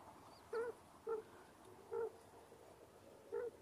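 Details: Quail mother brooding her chicks gives four short, low, hollow clucks roughly every half to one second, clear above a quiet hissing background.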